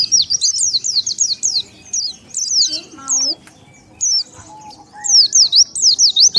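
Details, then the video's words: Lure call of the Oriental white-eye for attracting wild birds: quick, high, looping chirps in clusters, interrupted around the middle by a lower wavering sound, then more rapid zigzag twittering at the end. "SUARA PIKAT BURUNG PLECI SANGAT AMPUH,DENGAR SUARA INI BURUNG PLECI LIAR LANGSUNG NGUMPUL"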